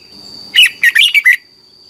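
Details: Red-whiskered bulbul from Thailand, a training recording played each morning so young birds learn to sing fast and firm: one quick phrase of five bright, bubbly whistled notes, with a steady high electronic tone throughout.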